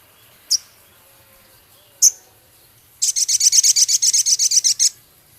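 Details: Male Javan cochoa singing energetically, its song filled with minivet phrases and rough chattering. Two isolated sharp high notes come first, then a rapid, even burst of about fifteen buzzy chattering notes over two seconds.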